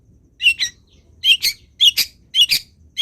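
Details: Long-tailed shrike song used to train other birds to sing: harsh, scratchy paired notes repeated about every half second, each pair a grating double chirp, in a quiet setting.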